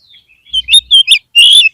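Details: Caged oriental magpie-robin song for encouraging another bird to sing: a thin falling whistle, then quick loud sweeping chirps and a final bright, buzzy warble.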